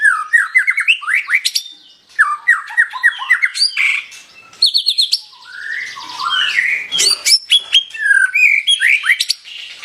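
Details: White-rumped shama in full song, delivering bursts of quick whistled notes that climb in steps, separated by brief pauses, then varied slurred whistles and sharp high clicks. The phrases are strongly varied and loud.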